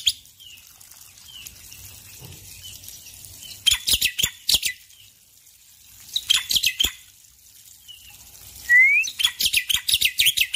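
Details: ['In morning song, a male Black-winged myna sings three bursts of harsh clustered chatter separated by quiet spells with faint soft whistles. The last burst opens with a rising whistled note.']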